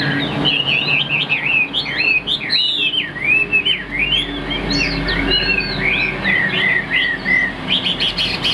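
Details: Chinese hwamei kept in a cage, a strong-singing bird, pouring out a rapid, varied run of looping whistles and sharp up-and-down slurs, nearly continuous, with low background hum.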